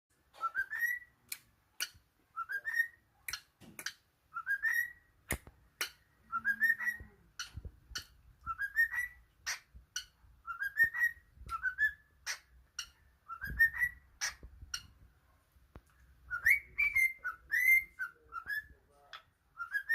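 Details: A cockatiel whistles the Addams Family theme tune in short rising phrases, with sharp finger snaps between them.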